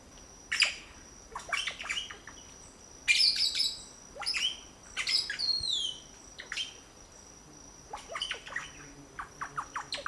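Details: Nestlings of red-bellied grackle, three chicks fed at a nest in La Romera reserve, Antioquia, Colombia, 2012; loud harsh squawks and rapid high chirps in dense bursts, with some descending squeals, over a steady thin whine.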